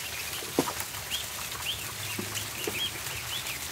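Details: Ducklings on the barn floor at feeding time, many overlapping high thin peeps and short arched chirps, with soft pecking clicks, scuffling and a low steady hum.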